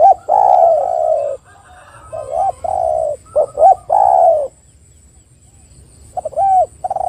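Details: Spotted dove cooing as a lure to set other spotted doves calling: repeated phrases of hooked short notes and long mellow coos, with a longer quiet gap before a final phrase.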